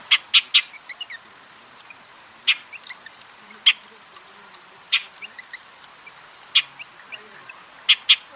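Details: Shining sunbird in its natural desert habitat, giving sharp, clicking call notes, single or in quick pairs, spaced irregularly across several seconds against a faint background hiss.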